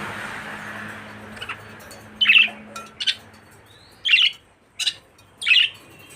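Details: Budgerigar chirping: a few short, bright, squawky chirps in quick clusters, separated by pauses of about a second, over a low steady hum from indoors.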